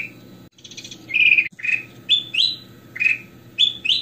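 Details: Goldfinch (kutilang emas) song, described as crystal-clear and full, used for tutoring other birds: short bright chirps and upslurred whistled notes, some buzzy, repeating about every half second over a steady low hum.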